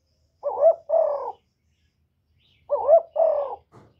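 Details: Decoy spotted dove singing to lure other birds: two deep cooing phrases, each a quick wavering coo followed by a longer hoarse croo, repeated about two seconds apart, loud and close in an otherwise quiet setting.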